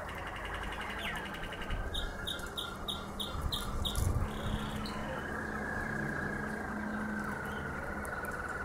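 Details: Domestic canary, a Harzer Roller or Malinois Waterslager, in Xanthi, Greece. A run of about eight rapid, evenly pulsed, bubbling notes lasts around two and a half seconds over steady broadband background noise and low hum.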